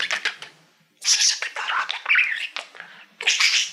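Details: Male pet budgie singing toward a reflective silver plaque: scratchy, hissing chatter and squeaky warbled notes in several loud bursts, with a faint low hum underneath.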